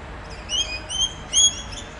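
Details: Rainbow lorikeet chatting with its friends along the Olinda Creek Trail in Montrose, Victoria: three thin, high, slurred whistling squeaks, the last one loudest.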